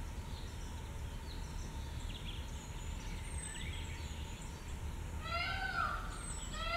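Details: White peafowl, a leucistic colour form, calling outdoors: after a stretch of steady low rumbling background noise, one loud, harsh, strongly harmonic wail rises and falls near the end, with faint thin bird chirps higher up.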